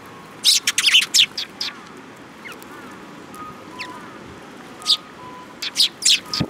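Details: Sparrows approaching to be fed at Mizukami Bridge, May 2021, give rapid bursts of loud high chirps at the start and end, with a quieter gap where a two-tone electronic beep repeats.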